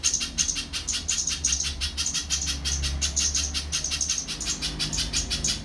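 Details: Monotonous repetition of sharp, high chip notes, about three a second, sung by a little spiderhunter against a steady low background rumble.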